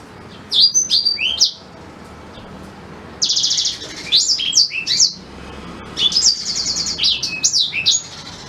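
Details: Natural song of a black-throated canary, recorded as tutor material for white-rumped shamas. Three phrases of fast, very high notes: buzzy trilled bursts, clipped rising-falling sweeps and twittered runs, split by short silences.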